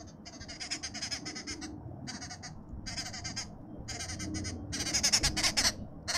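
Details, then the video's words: Arrow-marked babblers feeding at supper time in a suburban garden in Pretoria, South Africa, give loud, harsh, rasping chatter in repeated bursts of about half a second, rising to a busier, louder chorus near the end, over low background rumble. "Arrow-marked babbler supper time"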